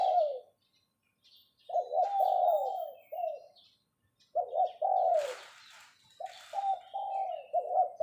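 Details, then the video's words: Decoy spotted dove calling 'phao phao' from captivity. It gives repeated phrases of low, mellow coos, each a stuttered start and a long falling note, with about two phrases in eight seconds. A brief rustle and thin high bird notes are heard between them. "เสียงนกต่อ ขันเรียกเพาะๆ"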